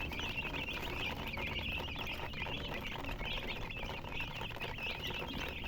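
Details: Young chickens chirp together in a constant high, wavering chorus of quick little peeps over a steady low hum.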